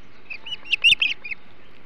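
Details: Osprey at the Hog Island nest during a flounder feast, 21 July 2016; short run of high piping whistles swelling to a loud harsh peak, then fading.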